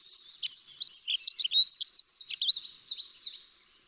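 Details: A dunnock (Prunella modularis) sings a fast, high, jangling warble of thin squeaky notes, lasting about three and a half seconds before trailing off.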